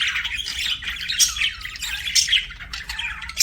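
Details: Budgerigar chirping, quick scratchy warbles mixed with short sharp whistled notes, fast and unbroken.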